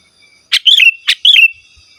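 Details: Sooty-headed bulbul singing to lure wild birds and train kept birds: two quick phrases, each a sharp note then a liquid wavering whistle dropping in pitch.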